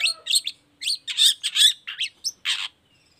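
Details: Long-tailed shrike singing lively, a lure recording to draw answering song from other shrikes: a burst of varied scratchy, buzzy chatter and high chirps, closing with one rasping note before silence.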